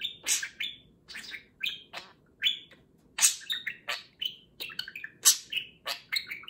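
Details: Affectionate pair of pet budgies, one talking loudly as the other grooms it in the morning; bursts of shrill chirps and grating, warbling notes come in uneven clusters over a faint background hum.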